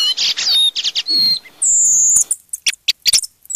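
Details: Redwing calls merged from three recordings as a hunting lure: scratchy, chattering high notes, then a long thin drawn-out 'seeep', followed by sharp clicking ticks.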